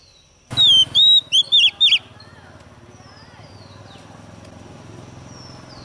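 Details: Female white-rumped shama used as a lure: a brief set of bright whistled phrases, then steady low mechanical hum for the rest.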